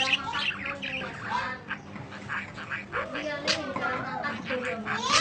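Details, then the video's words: Budgerigar warbling recorded for training other birds: nasal, chattering phrases with gliding whistles and harsh squeaks, steady in loudness and ending in a louder burst, a faint hum underneath. "Kicau Panjang Parkit Masteran"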